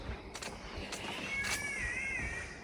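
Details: A catbird in nature, with whipbirds also calling nearby, gives a thin, wavering, cat-like mew lasting about a second, amid sharp clicks and a hissy forest background.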